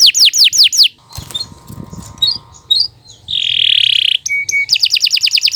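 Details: Canary song used to tutor young birds. Falling whistled notes come first, then a stretch of scratchy noise and scattered chirps, a loud sustained buzzy note, two pure whistles and a quick trill.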